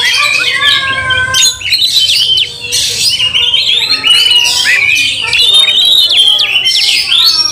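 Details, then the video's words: Emotional, combative Oriental magpie-robin raising its tail to anger other magpie-robins; falling and rising whistled notes mixed with scratchy chatter, loud and nearly unbroken, with faint lower whistles behind. "Kacer tarung bongkar emosi buka ekor dongkrak amarah bikin kacer lain tambah Garang"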